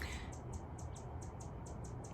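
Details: A worked-up Anna's hummingbird in a Pacific Northwest garden in fall gives thin, sharp, high chips about four times a second, steady and insistent, over a low rumble and a faint voice.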